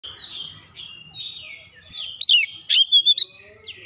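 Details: Oriental magpie-robin song used as a lure to provoke other magpie-robins into singing: sliding whistled notes, then loud sharp chirps in quick bursts near the end, with faint low background hum.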